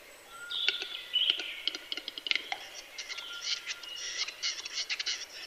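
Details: Western capercaillie display at a lek, with quick dry clicks and a hissing, scratchy phrase, while other birds sing clear whistles and warbles in the background.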